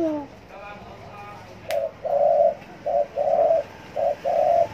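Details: Spotted dove giving a coo on demand. After a faint murmur and a sharp click, it gives a run of soft, hollow coos. Short and drawn-out notes alternate, about six in three seconds.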